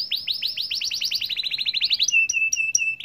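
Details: Atlantic canary song, long and continuous, meant to make other canaries join in: a rapid series of rising-falling whistled notes speeding into a tight trill, then a few sharp, separated chips and a short buzz.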